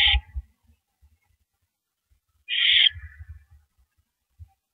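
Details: At 3:33 AM on April 9, 2012, an owl shredding a big rabbit on a live camera gives two harsh, airy screeches, one cut short at the start, with dull thuds and scraping as it feeds.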